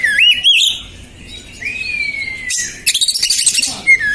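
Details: Emotional, stressed oriental magpie-robin (kacer) as a lure: wavering whistles, a long steady whistle slowly sliding down, then a harsh rasping burst and a quick run of sharp chattering notes.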